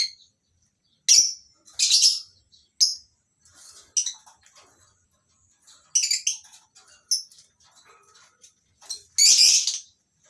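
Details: Morning in a small colony aviary at a lovebird breeding farm with several lovebird species: loud high shrieking chirps in short clusters, separated by pauses filled with faint twittering from other birds.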